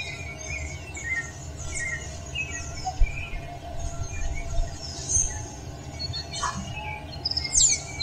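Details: In Costa Rica before sunrise, several birds give scattered high chirps and short whistled notes, one ending in a quick falling sweep, over a steady low rumble of distant traffic.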